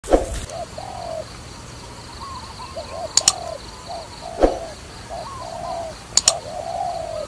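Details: Dove used for trapping, giving scattered low cooing notes between sharp clicks and knocks, with a steady high whine in the background.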